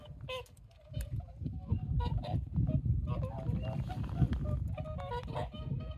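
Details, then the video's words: Whooper swans near sunrise at Kotan Onsen, Lake Kussharo, Hokkaido, Japan, in late February 2023: many overlapping nasal, trumpeting honks from a flock, calling continuously over a loud low rumble of background noise. "Whooper Swans near sunrise"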